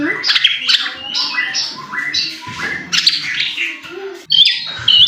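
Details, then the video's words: Provocation song of a white-rumped shama, meant to stir another bird into singing: a rich, varied warble of whistles, trills and quick sliding phrases, building to louder notes at the end. "pancingan murai batu AGAR BUNYI jitu untuk JADIKAN murai batu GACOR EMOSI"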